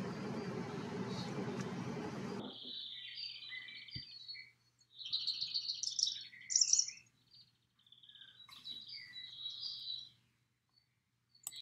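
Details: Brown-headed cowbird call in Drumheller, Alberta, Canada: liquid gurgling notes ending in a thin, very high slurred whistle, repeated in two bursts, with a rush of wind at the start and a faint low hum throughout.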